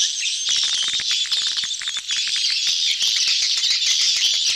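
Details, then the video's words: Swiftlet lure sound of a crowded mating gathering ("betompok"): a steady wall of high, buzzy chattering with rattling clicks scattered irregularly through it, no pauses. "suara tarik walet ramai,kerumunan kawin / birahi "BETOMPOK""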